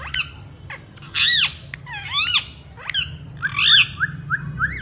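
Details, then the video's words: Parrot calling indoors: loud harsh squawks and arched slurred whistles, ending with a run of short rising chirps repeated about twice a second. "Best and new style talking parrots"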